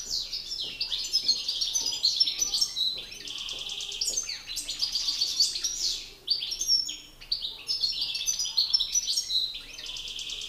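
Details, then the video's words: Singing contest between male European goldfinches, an excited bird challenging a master singer: continuous loud twittering song of liquid chirps and buzzy rattles, repeated in long bursts with a brief pause near the middle. "Battle de chardonnerets"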